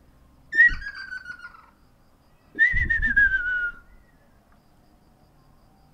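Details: Ruddy kingfishers calling back and forth on 12 April 2019, the first heard that year: two long, rolling whistled calls sliding downward, about two seconds apart, the second joined by low thumping noise.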